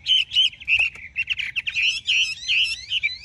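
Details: Clear, full whistled notes from a large Chinese hwamei, run together into a flowing warbled phrase with a few sharp clicks between the sweeter tones.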